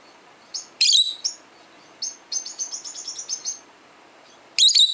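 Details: Pet peach-faced lovebird, 12 years old, tweeting to other lovebirds: scattered shrill chirps, then a fast run of about ten rapid high notes, ending in a loud harsh chirp.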